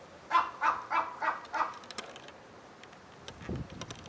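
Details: A crow that flew into a Humboldt penguin enclosure, repeatedly calling toward the penguins, gives five harsh, hoarse caws in a quick even run, about three per second, then falls silent; a few faint low thumps and clicks follow.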